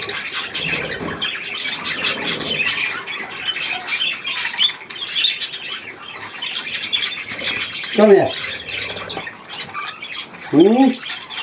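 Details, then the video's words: Budgerigars with young at millet twitter steadily in high chirps, with two lower swooping squawks standing out near the end and faint wing flutter. "Hirse und die Jungen Wellis"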